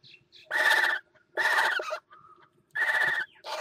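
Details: Northern goshawk pair mating on the rim of a water-tower nest at Axel, 5 February 2018; three strident, raspy calls of about half a second each, with a faint thin whistle heard between them.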